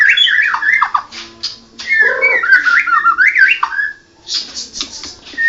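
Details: Blorok Medan white-rumped shama delivering zigzagging whistled phrases, a rapid warbled run in the middle and some scratchy notes, with short pauses between bursts. A faint steady low hum lies underneath.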